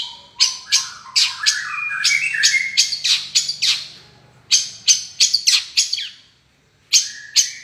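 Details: Long-tailed shrike singing energetically: dense bursts of harsh, rasping, high chattering notes mixed with squeaky phrases, then a brief pause and another run of sharp scratchy notes, with a faint low hum underneath.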